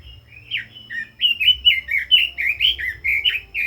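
Red-billed leiothrix singing a fast, rich warbling run of slurred whistled notes, rising and falling steadily at about two notes per second, with faint low hum underneath.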